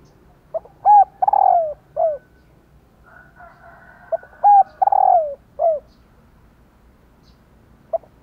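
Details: Female spotted dove calling to prompt males to coo in reply. Two phrases about four seconds apart, each a few short hooting notes leading into a long, loud coo that slides downward. Quiet background between phrases.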